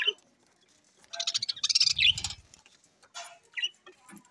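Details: Rainbow-coloured budgerigars, selectively bred pet birds, recorded October 9, 2023: bursts of dense, scratchy chirping and chatter in short irregular clusters, with a brief low murmur partway through and quieter gaps between phrases.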